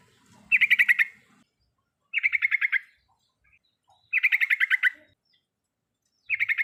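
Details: Yellow-vented bulbul singing as a lure for a bird that will not sing: evenly spaced bursts of fast, bubbling notes, each about half a second long and roughly two seconds apart, in quiet surroundings.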